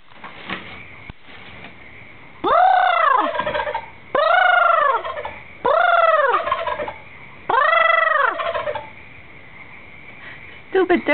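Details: Turkeys sleeping in trees outside a window on a pitch-black night, answering noises with four loud, rolling, arched gobbles spaced about every two seconds, then a brief shorter call at the end over a faint hum.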